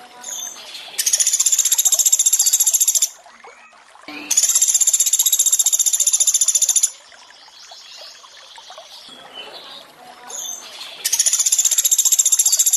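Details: Three bursts of high, dry, fast-pulsed rattling trill from a Sunda pygmy woodpecker, each about two to three seconds long, separated by trickling water. The 'tembakan' calls come from a training recording.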